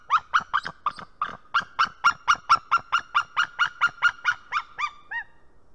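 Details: Warning calls from a female white-tailed eagle on a nest monitored by a live camera in Estonia, early morning of 19 March 2018: a long run of barking yelps, roughly three each second, ending in two softer notes.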